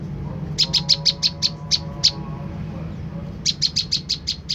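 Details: Olive-backed tailorbird played as a lure to provoke a reply: bursts of sharp, high, clipped notes, about seven in quick succession, a pause, then another rapid run of six, over a low steady hum.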